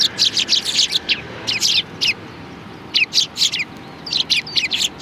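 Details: A flock of sparrows comes to be fed at a Tenmangu shrine in Japan on 16 January 2020, filling the air with continuous, overlapping sharp chirps in quick bursts, backed by soft low background noise.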